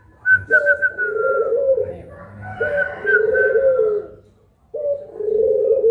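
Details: Collared dove in puter pelung style, one of two birds featured, midday: long drawn low coos, three phrases each about a second and a half, overlaid with a higher steady whistled tone in the first two.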